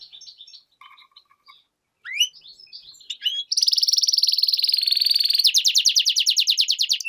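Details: Soft twitters and rising slurred notes from a goldfinch-canary hybrid lead into a loud sustained buzzy trill, then a fast run of repeated rattling notes.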